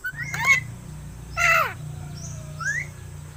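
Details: Hand-reared myna about seven months old gives two loud harsh rasping calls about a second apart, followed by softer short rising whistles, over a steady low background hum.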